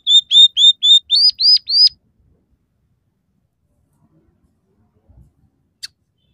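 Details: Scaly-breasted munia in active song, filled with borrowed sparrow, red siskin and canary phrases. Seven high arched whistled notes repeat rapidly over two seconds, then near silence with a faint thump and one sharp tick.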